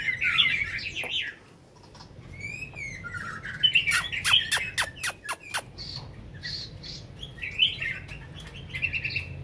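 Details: Well-fed caged Chinese hwamei, over five years in the cage, in Hanoi, Vietnam: rich varied whistled song phrases broken by a run of sharp clicks midway, then more warbled whistles.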